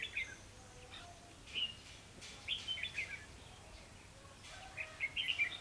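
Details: Red-whiskered bulbul used as a decoy for trapping on 28 October 2016, giving short, bright whistled phrases in bursts of a few notes with pauses between, against faint low background noise.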